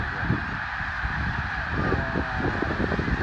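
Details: Snow geese at Middle Creek, Pennsylvania, on the morning of February 24, 2024, at 10:52: a dense, continuous chorus of high honking from a large flock, with low rumbling noise underneath.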